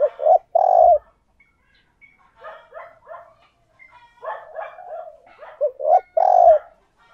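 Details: Decoy spotted dove cooing and calling to lure and provoke wild doves: soft, low rolling coos build into loud, sustained hollow coo notes, with bursts of several notes in irregular phrases and brief pauses between.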